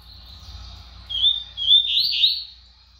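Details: Fast song of a brown double-collared seedeater: a thin high sustained note breaks into quick, loud, twisting whistled notes that rise and fall, over a faint low hum.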